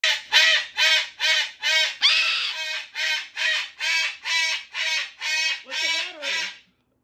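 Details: Two pet cockatoos, a Moluccan and a Goffin's, screaming loudly together indoors: harsh, raspy, harmonic-rich shrieks repeated in a rapid series about twice a second, one longer wavering scream near the end.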